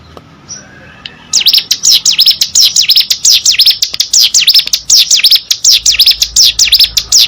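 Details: An actively singing hill prinia, played to encourage other birds to sing: near silence for about a second, then a brisk, steady string of piercing high notes sweeping down and back up, roughly four per second.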